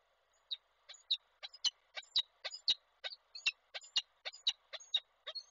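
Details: Peregrine falcon, a male arriving with prey and calling the female, Koszalin, 16 February 2024, online camera recording. A rapid, uneven run of harsh chipping calls, some with a high whine, about two per second.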